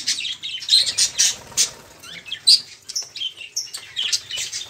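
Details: Budgerigars chattering noisily, used as a lure to prompt silent caged songbirds to sing: busy overlapping squawks and chirps, high and scratchy, with bright bursts about every half second and short quieter gaps.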